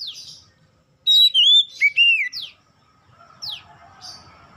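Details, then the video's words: Oriental magpie-robin singing as a trigger for other birds of its kind; one loud burst of clear, sliding whistles and slurred notes, followed by a few isolated downward-swept notes over faint hum. "PANCINGAN Kacer bahan cepat gacor"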